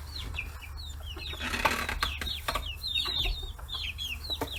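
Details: Free-range chicks, 40 days old, crowding around fish heads on a farm in Kitahiroshima, Hiroshima, Japan: many overlapping high chirps and down-slurred peeps with soft pecking taps over a low steady hum.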